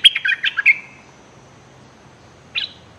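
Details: A wild bulbul, agitated by a decoy bird, gives a rapid burst of five or six sharp, chirpy notes, ends on a drawn-out note, then adds one more chirp after a short pause.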